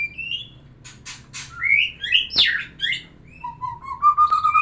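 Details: A white-rumped shama's varied song, played to bring a female into breeding mood: rising whistles, harsh raspy bursts, a sharp click, jumbled fluty phrases, then a steady series of clear whistled notes climbing gradually.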